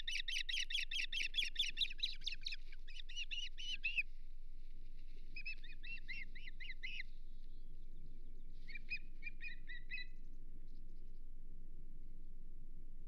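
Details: Morning at the Hog Island Osprey nest, 7 May 2023, amid mating and a fish delivery: rapid bursts of shrill, piping chirps in several short series, fading toward the end over a soft low rumble.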